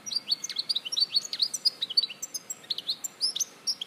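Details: Steady, fast high-pitched twittering from a European goldfinch, Larache, Morocco, 2014: many short chirps and slurred whistles with barely a pause.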